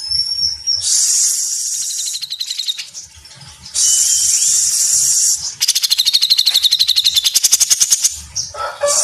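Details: Cucak jenggot, the grey-cheeked bulbul, singing vigorously with tight 'mesetan' phrasing: two broad hissy, rasping bursts followed by a long run of quick, sharp, high notes, with a brief lower whistled note at the end.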